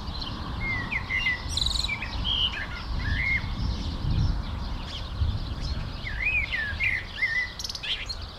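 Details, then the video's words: Common blackbird singing in the Jordan Rift Valley, Middle East: varied, fluted warbling phrases with rising and falling slurs, given in two bursts, over steady low rumbling background noise and faint insect buzz. "Singing Blackbird. In The Middle East"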